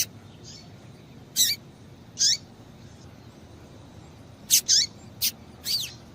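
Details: A female double-collared seedeater calls to stimulate a male. Scattered high chips with falling ends give one, then another, then a quick cluster of four near the end.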